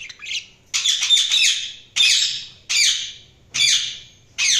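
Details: Budgerigar giving loud, harsh, high-pitched chirps in five separate bursts, each about half a second long and spaced roughly every second, with a scratchy, squawking quality in a quiet room.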